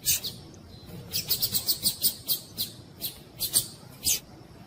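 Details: Double-collared seedeater, a spirited tournament male with a female calling to excite him, kept by breeders: sharp high chirps, then a quick run of about a dozen clipped notes, a few louder notes after.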